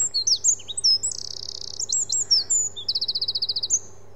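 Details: Eurasian Wren, a tiny but very loud bird that always repeats the same song: loud, high, explosive opening notes, then two fast rattling trills, the second a little slower. A faint low hum runs underneath.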